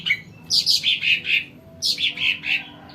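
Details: Sumatran cucak ranting song for attracting wild birds, two phrases of descending bright chirped notes separated by a short pause.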